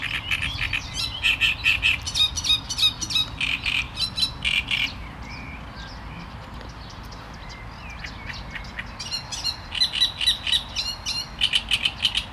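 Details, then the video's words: Great reed warbler singing: loud, harsh, grating phrases of repeated croaking syllables for about five seconds, a short lull, then another bout of chattering, churring notes near the end. "Trzciniak i jego śpiew"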